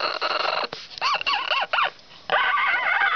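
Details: Caged male pet parrot with nesting urges, vocal since the end of January, in his new wooden nest box indoors; loud, harsh screeches broken into short arched notes, several in quick succession, over a continuous raspy background.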